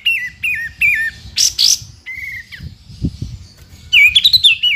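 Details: Sooty-headed bulbul, a gacor songster used as a tutor for other songbirds such as white-rumped shamas: repeated whistled notes wavering near the middle, a harsh burst, a level whistle, then a bright rising and falling flourish.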